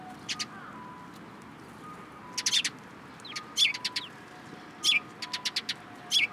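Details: Sparrows gather in a cherry tree at a Tenmangu shrine, 21 March 2023, giving repeated clusters of bright, high chirps. Each bout holds several quick notes, with short pauses between bouts.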